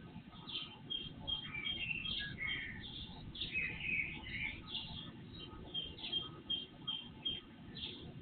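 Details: Predawn singing of several birds, recorded by an IP surveillance camera and amplified: busy chirps, brief whistles and twittered phrases overlapping throughout, with a low, steady hum underneath.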